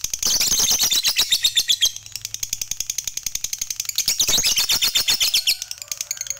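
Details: Fighter lovebird singing a long chattering song meant to get other lovebirds singing: rapid high, scratchy repeated notes about four per second, with dense trilled bursts at the start and again after a short dip.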